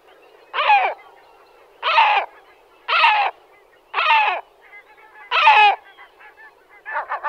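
A great black-backed gull gives six deep, hoarse, barking calls about one to one and a half seconds apart, with faint softer notes between.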